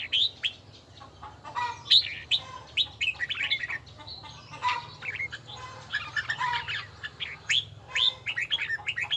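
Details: Red-whiskered bulbul in bell-tone voice training: busy overlapping whistles and chirps, possibly from more than one bird, over a noticeable low hum and background hiss.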